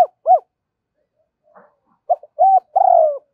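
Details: Cooing spotted dove in the 'thổ' voice style: two short arched coos close a phrase, then after a pause a new phrase starts with clipped notes and a long rolling coo. A faint soft rustle comes between them.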